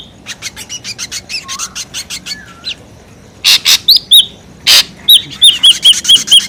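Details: Lure recording of a noisy ashy drongo: soft raspy notes, loud hoarse bursts, then a rapid row of sharp whistled notes at the end.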